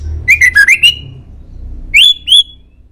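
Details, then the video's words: Murai song for teaching caged birds to answer: a fast run of four warbled whistled notes followed by two higher rising whistles, clear and loud against a quiet background. "MASTERAN MURAI DI JAMIN BURUNG ANDA LANGSUNG NYAUT"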